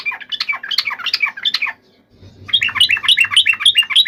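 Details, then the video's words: Yellow-vented bulbul delivering intense, emotional combat song to rouse other bulbuls into responding: a dense, jumbled twittering phrase, a brief gap, then a second rapid, bright, quickly repeated chattering run. "trucukan gacor TARUNG FULL EMOSI TAJAM ini ampuh MENJADIKAN agar burung trucuk gacor NYAUT SEKETIKA"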